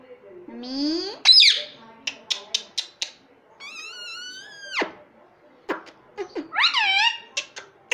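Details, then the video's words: Indian ringneck parakeet imitating "mummy": long rising and falling nasal phrases, a held flat note, sharp clicks and taps between them, and a final wavering call, indoors. "Mummy Bolne Wala Parrot _ Talking Parrot _ Ringneck beautiful parrot"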